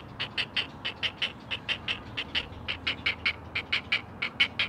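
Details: Four great blue heron chicks in a nest, recorded by a Chesapeake live camera as they call to their mother: loud, harsh, evenly paced clucking notes repeated about every two-thirds of a second.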